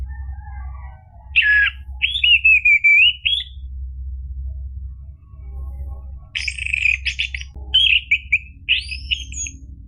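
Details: Lure song of the orange-headed thrush for setting off a bird that has gone quiet: a buzzy note and fluttering whistle, a long silence, then a mixed burst of harsh buzzes and clear whistles.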